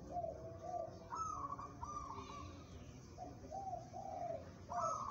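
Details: Local zebra dove kept for song competitions, cooing in a series of clear, mellow whistled notes, first low and then stepping higher, with soft trills between phrases over a steady low background hum.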